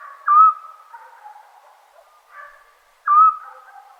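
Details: Two crisp whistled calls from a Eurasian scops owl, Serbia, summer night, separated by nearly three seconds, each a short flat tone with quieter lower sounds lingering between.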